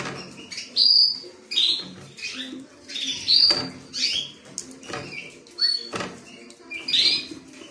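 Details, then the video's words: A creamino canary sings clipped, sharp whistles and quick sweeping syllables in bursts about every second, with scattered clicks and rustles between phrases. "creamino canary"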